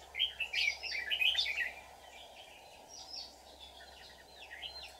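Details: On 24 July 2019 a decoy red-whiskered bulbul sings a fighting song to lure wild bulbuls into a trap. A lively warbled opening fades into faint, sparse sweeping notes over a steady hum.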